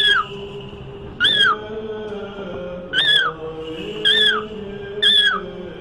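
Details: A pet cockatiel, said to be "praying" before religious icons, gives five loud, arched whistles, each rising then falling, spaced about a second apart over a low, steady droning hum. Cockatiel.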